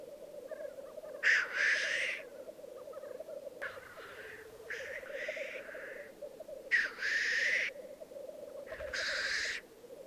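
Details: Displaying black grouse cocks at a lek in the Piedmont Alps, Italy, 2022: a steady bubbling, pulsing rookoo drone throughout, cut by four loud hissing, rushing sneezes.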